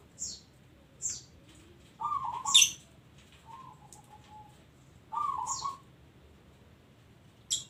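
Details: Zebra dove of local stock giving a couple of rolling, quavering coos with a softer trailing note, while sharp high chirps sound regularly in the gaps.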